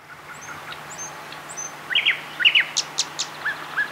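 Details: Wild thrush nightingale singing in May 2007 at Getterön nature reserve, Varberg, Halland, Sweden. It gives loud, sharp, clicking and chacking notes in a quick series, while thin high whistles from other birds sound faintly in the background.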